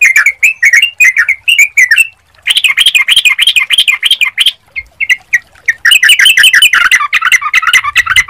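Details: Sooty-headed bulbul song for luring birds into answering: chattering phrases of quick slurred notes, pausing twice, then turning denser and more overlapping toward the close.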